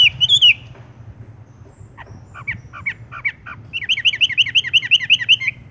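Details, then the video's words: Horsfield's bush lark song in the 'tung roll' style: one looping whistle, scattered short stuttering notes with low background hum, then a quick rolling trill of repeated upslurred whistles. "wambie tung roll gantung langsung ngerol"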